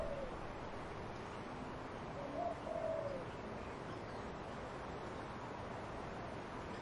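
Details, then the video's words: One soft dove cooing phrase of a few low notes rises out of the background, with wind moving through trees throughout. "Dove cooing wind in trees"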